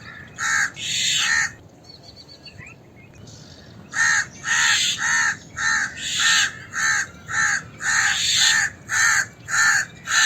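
Harsh, rasping caws come in quick bursts, roughly two a second, after a brief pause with faint chirps. The crow's alarm calling continues without let-up.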